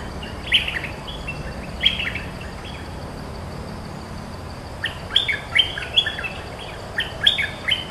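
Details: Cream-vented bulbul, a territory-holding bird answering every phrase of a lure call; short bubbly, chirping phrases in clusters, a burst near the start, another at two seconds, then a lively run of warbled notes in the last three seconds, steady background hiss.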